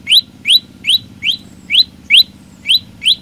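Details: Vigorous song of an olive-backed tailorbird: bright, upward-sweeping chirps repeated briskly, roughly three each second, with slight unevenness in spacing over a faint low background hum.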